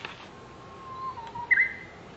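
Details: Japanese bush warbler singing unseen, apparently within five metres, in Genjiyama Park, Kamakura, Japan, on 1 May 2015; a long, low, steady whistle drifts slightly upward, then breaks into a sharp, higher, bright note.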